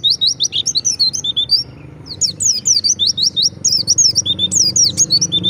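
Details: Wild white-eye singing a lure song meant to draw other white-eyes into answering: rapid high, thin chirps and slurred rising-falling whistles in quick bursts, a short pause near two seconds, with a low steady hum underneath.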